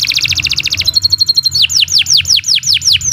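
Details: Singing canary, master song meant for teaching other birds: quick rattling trill, a brief run of pure repeated notes, then steady downward-swooping whistles roughly twice a second.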